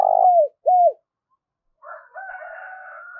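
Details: Decoy spotted dove kept to lure wild doves, giving two loud, low, arched coos, followed after a silence by a longer, rougher, noisier sound.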